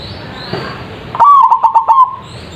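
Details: Zebra dove song played as a lure to draw answers from other birds: one loud coo phrase lasting about a second, a rising opening note then several quick pulsed notes on a steady low tone, with quiet background hiss.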